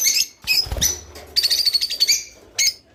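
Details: Rice finch song played to prompt captive birds to mate: high thin chirps and rapid buzzy trills in short bursts, with a sustained twittering run in the middle and brief pauses between phrases.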